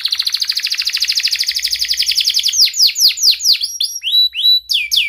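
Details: Canary used as a singing lure for silent canaries: a rapid rattling trill gradually slowing into a sequence of loud downward-swept whistled notes and crisp high chirps.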